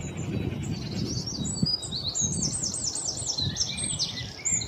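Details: Black-throated bushtit calling with high, thin notes that swoop up and down in a quick wavy series, joined by a few lower chirps over steady wind and low background rumble.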